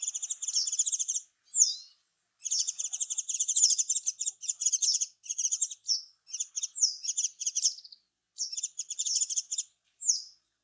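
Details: Japanese wagtail, a waterside bird that also visits residential areas and sings perched on antennas in warm weather; varied high twittering phrases, rapid buzzy trills and sharp slurred notes in bursts of one to two seconds separated by short pauses.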